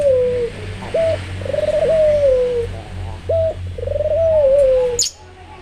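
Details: An albino puter dove coos repeatedly: long sliding hums dropping slowly in pitch, split by short hooked notes, ending with a sharp click.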